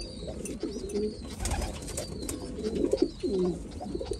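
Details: White homing pigeons cooing in a small enclosed space: low, throaty rolling coos swell in short bursts, overlapping one another, while thin high whistled notes repeat faintly in the background.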